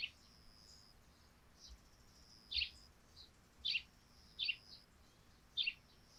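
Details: Sparrow calls heard over a dewy thatched roof in the morning: a series of short chirps, roughly one a second in the second half, with softer notes between and a faint high steady tone.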